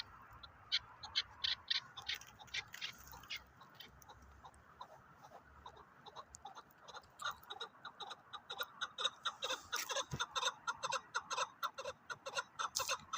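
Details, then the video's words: Chukar partridges calling with rapid repeated clucks, a few spaced notes at first, then a denser rhythmic series of rough chuk notes about two per second, with faint background hiss. "КАБКИ ШИКОРИ"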